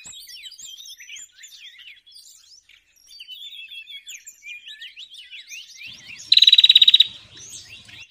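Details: Trapping lure of a Bar-winged prinia calling. Busy high chattering and twittering fill the first part, then a loud, rapid run of about twelve sharp identical notes breaks in, followed by more chatter.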